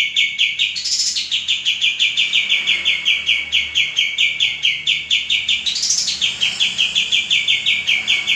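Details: Male common iora singing, kept as a cage bird for tutoring other songbirds: rapid runs of bright chirping notes repeated in long trains, with two sharp rising buzzy bursts breaking the flow.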